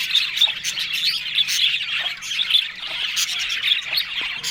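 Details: Australian budgerigars eating green food in the morning give a dense, continuous warbling chatter of high chirps and squawks with no pauses, several birds overlapping throughout.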